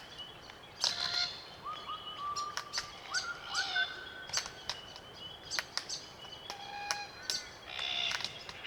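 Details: Feeding flock of Glossy Black Cockatoos on Allocasuarina cones, Macleay River valley, NSW, Australia; short creaking, braying calls, some rising, among crisp feeding clicks.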